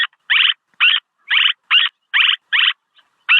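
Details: Swallow calls for luring, a local-language recording: a run of short, harsh chattering bursts about a quarter second long, repeated steadily about every half second, each a dense buzzy stack of notes, with clean silence between bursts.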